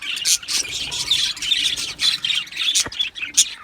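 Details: Aviary colony of budgerigars chattering together: dense, continuous overlapping high chirps, squeaks and warbles, with sharper single squawks standing out now and then.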